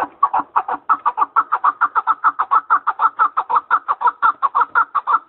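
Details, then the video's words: Rapid chuckling partridge call: a fast, steady train of rough clucks, roughly five per second, sustained without pause and sounding loud and close. "Sessiz Olun, Biraz Keklik Dinleyelim..."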